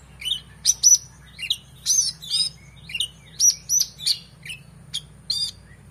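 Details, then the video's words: Oriental magpie-robin singing an excited, full song packed with varied filler phrases, used as a tutor for competition birds: sharp whistled notes, rising and falling slurs and scratchy chirps in quick bursts roughly every half second, over a steady low hum. "KONIN GACOR EMOSI FULL BONGKAR ISIAN MEWAH‼️Cocok Untuk Masteran Burung Lomba"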